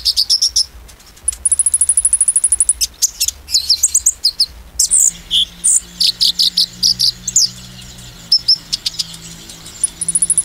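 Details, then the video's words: Sunbird song meant to stir other sunbirds, in the shooting 'nembak' style: a steady high rapid trill runs for over a second, broken by sharp chips, then busy twittering phrases and a further trill, with a low hum behind. "konin nembak mancing emosi konin lain"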